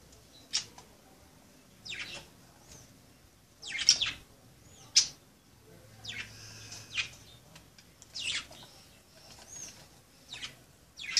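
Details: Budgerigars playing together: sharp, high chirps repeated irregularly about once a second, some short and clipped, others slightly longer and buzzier, against a quiet background.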